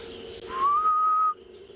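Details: A Grey-headed Bush-shrike, the "ghost bird", calls during an afternoon safari in South Africa on 24 February 2021. It gives a single drawn-out, mournful whistle, rising slightly and then holding steady for nearly a second, over a faint low hum.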